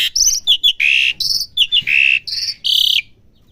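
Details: Asian pied starling, a young bird learning to sing, produces clipped, high whistled and buzzy notes in quick groups, then stops; the background is quiet.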